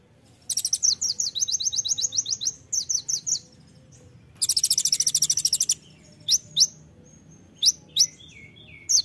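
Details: Olive-backed sunbird, locally called kolibri ninja, singing a full tembakan-filled masteran song: rapid buzzy high trills and sharp rising chirps in bursts, with a long fast rattling burst midway and scattered single notes after.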